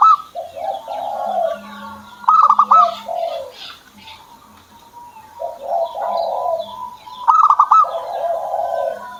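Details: Zebra dove, a kept bird said to be starting to sing: two phrases, each a burst of rapid staccato rolling notes followed by lower, drawn-out cooing, about five seconds apart; faint higher chirps from other birds behind.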